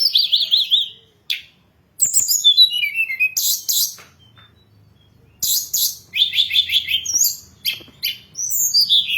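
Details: Hill blue flycatcher song played to lure and train birds: loud bursts of rapid chattering and looping whistles, separated by short silent gaps.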